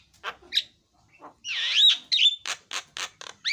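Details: Javan myna singing a varied phrase: scattered short notes, then a loud, strained whistled warble that rises and falls, followed by a run of harsh, clipped chattering notes.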